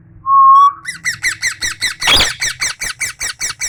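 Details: Tame parrot kept indoors: a steady level whistle, then a rapid train of repeated harsh chirps about five per second, broken once by a louder scratchy squawk.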